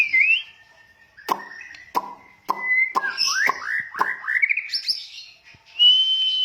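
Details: Oriental magpie-robin during a first-stage training session: a varied run of clear whistles, rising and falling slurred notes and short upward sweeps, broken by sharp percussive clicks and knocks, ending in a sustained high whistle.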